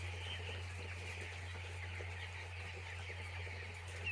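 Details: Poultry-farm chicks keep up a faint but continuous high peeping, many voices blending over a strong, unbroken low hum.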